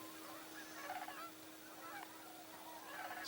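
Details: A large flock of snow geese in a field at Cibola National Wildlife Refuge, Arizona, with Canada geese nearby, in winter, keeps up a dense, overlapping chorus of nasal, yelping honks over a steady mechanical hum.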